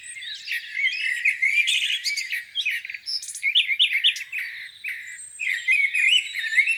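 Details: Lakeside birdsong on a spring morning, several birds overlapping in a busy chorus of high chirps, short trills and sweet whistled notes, steady and continuous.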